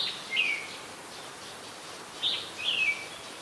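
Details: Red-whiskered bulbul, an adult, recorded in Ubon Ratchathani, Thailand, 3 January 2021, giving sharp downslurred chirps, one early and a close pair near the end, separated by quiet hissing background.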